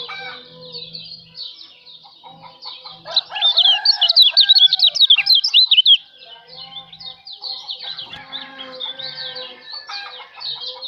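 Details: White-eye from Lombok (kecial lombok), recorded as master song for songbird training: a three-second burst of fast, high, sharply modulated twitters rises above a crowing rooster and scattered lower chirps.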